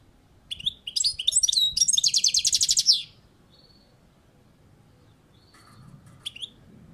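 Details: European goldfinch song from a balcony: quick chattering twitters lead into a rapid rattling trill, followed by silence and a couple of soft, thin call notes.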